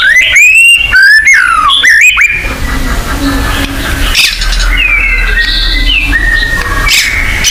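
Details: White-rumped shama song played as a lure to spur caged shamas to sing: loud clear whistles sliding up and down, then rapid trilled rattles, followed by softer rising and falling whistled phrases over a steady background hiss.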